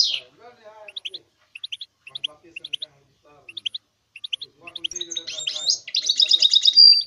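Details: Goldfinch mule, a goldfinch hybrid, singing as a training aid to motivate other songbirds: high paired chirps in short, spaced bursts, then a louder, rapid buzzy trill with rich warbled notes closing the phrase.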